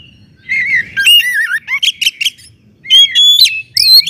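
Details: Oriental magpie-robin in loud song, used to provoke other magpie-robins: wavering whistles and warbles, a stutter of rapid high notes, a pause, then bright ringing whistled phrases.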